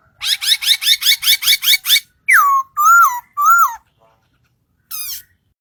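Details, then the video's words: Bird song: a rapid train of about eight buzzy chirps, then three long slurred whistles dipping and rising, a pause, and one final short whistle. "Singing bird"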